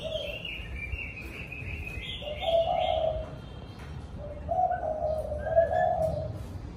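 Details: Evening cooing of a spotted dove at a house: a higher twittering bird opens, then two low, mellow coo phrases follow, each several notes long.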